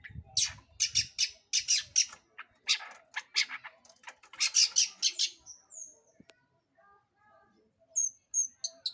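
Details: Long-tailed shrike song used to lure other birds into singing: a run of rasping, chattering notes, then a pause and a few thin, clear whistled slurs near the end.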